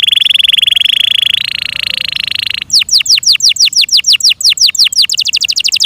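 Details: Loud Yorkshire canary song opening with a long, even rolling trill that rises slightly in pitch, followed by a fast series of descending whistled sweeps.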